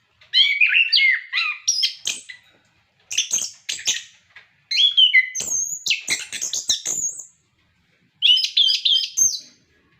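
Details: Captive orange-headed thrush singing loudly, used to coax other kept birds into song; bursts of mixed whistles and harsh notes in phrases of one to two seconds separated by short silences.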